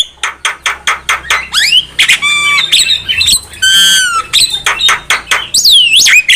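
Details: Javan myna song used as a trapping lure: a rapid series of harsh broadband clicks and chacks, then harmonic whistled notes, buzzy squawks and rising and falling whistles, loud and close throughout.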